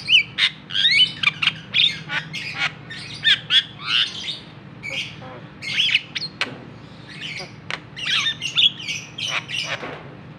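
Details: Provoking call of the Javan pied starling, meant to stir a silent bird to sing: bursts of raspy chatter and sharp whistles in quick clusters, pausing briefly between phrases, with a low background hum.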